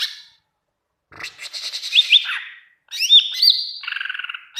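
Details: Greater green leafbird song for teaching caged leafbirds to answer: a brief note, then scratchy chatter rising into slurred whistles, a long high sustained tone, and a fast buzzy rattle at the end.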